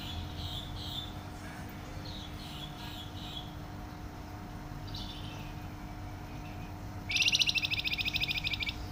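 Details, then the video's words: Flamboyan bird in full voice, its song described as loud and dense: soft, high chirped notes in the first seconds, then from about seven seconds a loud, very rapid trill of tightly repeated notes, over a steady low hum throughout. "Burung Flamboyan gacor suara nyaring dan rapat"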